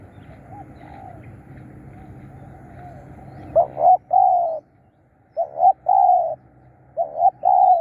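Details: Spotted dove used as a decoy to lure wild birds, after a quiet hiss giving three mellow coo phrases, each two quick clipped notes followed by one long drawn-out hollow coo.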